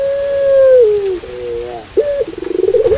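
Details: Pelung-style Barbary dove coo: a long, level hooting note that sags downward, a soft doubled low note, then a sharp rising yelp leading into a throbbing, pulsed rolling phrase.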